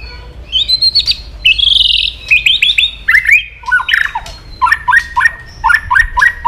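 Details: Provoking aggression, a white-rumped shama sings rising whistles and a buzzy note, then a series of short upslurred notes repeated about twice a second toward the end.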